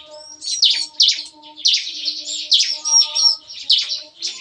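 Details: Bar-winged prinias singing in an aviary cage at morning in the 'nembak-nembak' style: clusters of sharp, explosive high chirps in quick bursts, over faint steady low humming tones.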